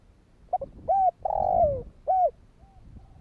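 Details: Spotted dove cooing to provoke other doves into calling: a pair of quick notes, a short coo, a long falling croon and a closing coo, followed by a faint trailing tone.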